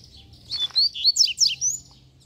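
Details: Coleiro song, one short, clear phrase of sweeping high whistled notes, some rising and others dropping sharply, lasting about a second in near silence.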